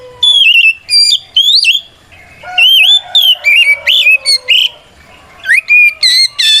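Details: Fighting song of a white-rumped shama, meant to goad rival shamas into replying: bursts of loud clear whistles, looping slurred notes and brisk trills separated by short pauses, a soft low whistle running underneath.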